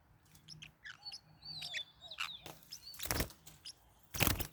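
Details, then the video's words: Forpus parrotlets kept as pets and fighting give thin high chirps and a few short whistled slurs, then two loud harsh rasping bursts near the end over a faint low hum. "My birds are fighting What should I do? | forpus parrot bird"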